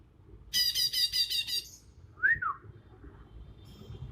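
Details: Bornean leafbird, a young bird with no learned imitations yet: a harsh rapid rattle lasting about a second, then one slurred rise-and-fall whistle.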